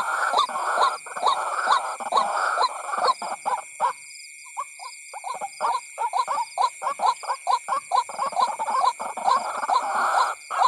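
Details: White-breasted waterhen calling on a lure track meant to draw in waterhens: bursts of crowded, scratchy croaks, a brief pause, then rhythmic repeated notes resuming, with a faint constant electronic tone behind.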